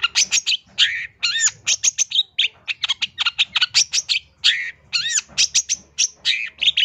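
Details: Energetic long-tailed shrike song, recorded as a master track for teaching and luring other birds: a dense, fast stream of mixed chirps, trills and bright up-slurred whistles with almost no pauses.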